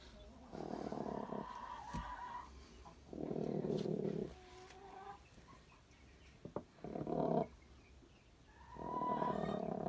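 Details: Caged hens growl while two of them compete for space and one egg; four separate low, grating rumbles, each about a second long, come in uneven bursts with quiet gaps between them.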